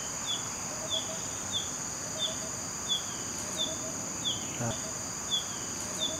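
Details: Female Green-backed Flycatcher calling in Malaysia, where it is a common winter visitor in the north: thin, high, downslurred notes repeated about every two-thirds of a second against a constant high-pitched insect hum.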